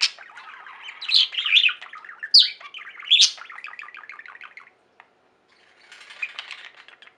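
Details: Pet budgie flock singing loud squeaky chirps, then a fast run of clicking, buzzy chatter. A near-silent pause follows before soft twittering returns.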